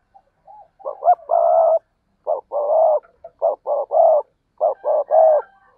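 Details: Spotted dove giving repeated low hollow coo phrases, short notes leading into a longer purring coo, four phrases in under six seconds, with faint other bird notes in between.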